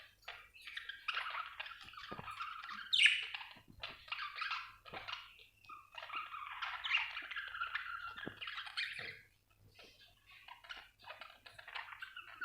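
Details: Chirping budgerigar: long stretches of fast, scratchy chattering warble broken by brief pauses, with squeaky notes and a quiet gap near the end, over a faint low hum.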